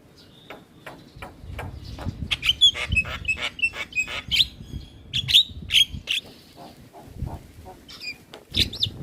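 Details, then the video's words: Black-winged starling in energetic caged song, meant to coax silent starlings into singing: rapid clicks, chattering notes and short piercing whistles over a low rumbling background. "Suara Asli Jalak Kebo gacor Full Manggut manggut Pas Buat Pancingan Jalak Bisu"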